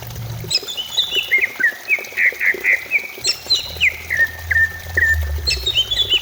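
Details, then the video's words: Cucak ijo song for stimulating singing, with clear whistled downslurs and repeated short notes near two kilohertz, broken by higher rising sweeps, against a soft low-frequency rumble. "Pancingan cucak ijo supaya cepat bunyi"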